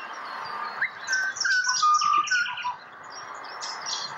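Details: Pied butcherbird song from Australia: clear fluting whistles that slide and hold at mid pitch, mixed with busy higher chirps and twitters from other birds.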